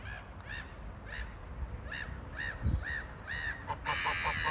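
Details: Noisy black-headed gulls on 4 February 2019 give repeated harsh, nasal calls about every half second, ending in a faster burst of clipped notes, over low rumbling background noise.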